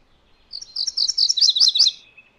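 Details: A MacGillivray's warbler sings one brisk phrase of high, chirpy syllables repeated about seven times, rising in loudness, with the final notes split into quick lower pairs. The surroundings are otherwise quiet.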